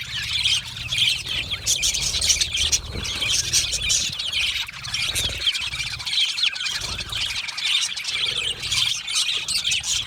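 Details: Australian budgerigars singing and chirping in a colony setting, a sound of comfort and contentment; ten seconds of thick, nonstop high warbling and squeaky chirps from many overlapping birds.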